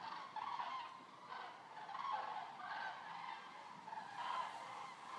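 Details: Around 200 common cranes resting at a stork centre in Racconigi, Italy, fill the air with overlapping rolling trumpet calls, bursts swelling roughly every second in a dense, constant clamour.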